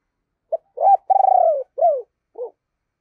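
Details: Decoy spotted dove's deep calling phrase for attracting wild birds: a clipped note, a swelling coo, a long pulsing coo that drops in pitch, a downward slur, then a quieter short closing note.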